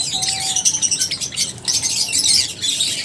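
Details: Lovebirds chirping: a dense, shrill, high chatter of overlapping squeaky notes throughout, with one brief steady whistle near the start.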